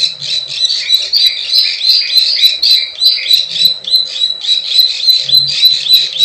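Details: Lure sound of plain prinia, klik klik ciwah type, played to attract wild birds: buzzy clicking phrases rising and falling in pitch, repeated several times a second, with a soft low hum at moments.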